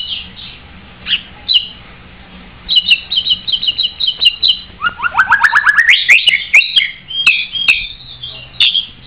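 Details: White-rumped shama in full song, a varied sequence of high repeated notes, sharp clicks, and a rapid rising series of slurred whistles building toward a busy, jumbled finish.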